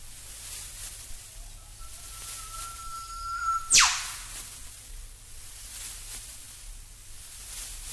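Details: An Eastern Whipbird in Australia gives a long, steady, pure whistle for about two seconds, ending in a sudden whip-crack snap that drops sharply, with soft background hiss.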